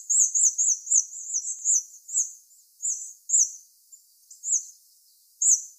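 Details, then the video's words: Hawfinch calling during autumn migration passage: a quick run of short, very high, sharp chevron-shaped notes in the first two seconds, then single notes and small pairs at irregular gaps. No other sounds are clear. "Canto del Frosone passo autunnale"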